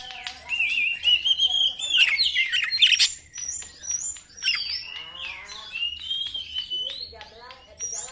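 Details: White-rumped shama song used as a lure to provoke other shamas, a varied run of clear whistles and rapid chattering notes, rising and falling phrases with sharp upslurs, a faint low hum beneath.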